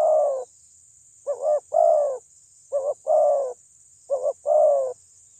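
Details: Spotted dove calling loudly to agitate rivals: repeated low coos, each a brief stuttered double note then a longer sustained coo, in regular phrases under a constant thin high-pitched whine.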